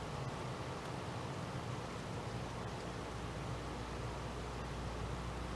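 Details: Constant broadband rushing noise, like wind or distant traffic, with a low hum and no animal voice.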